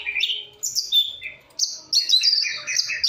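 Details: Long-tailed shrike delivering a varied song of high whistles and clear held notes, shifting between pitches, ending in rapid alternating high and lower chirping phrases.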